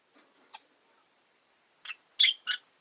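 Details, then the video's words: Rosy-faced lovebirds caged by a window, five birds: a faint chirp, then three harsh high squawks in quick succession, the middle one loudest, over faint background noise. "Lovebird Chirping Sounds"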